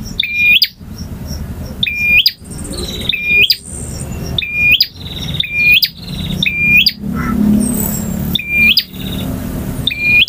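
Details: Male bar-winged prinia delivers long full-variation song in ngotot, ngalun, variasi and kristal styles. Quick bursts of buzzy notes, each capped by a piercing whistle, come in rapid succession, with a low hum throughout.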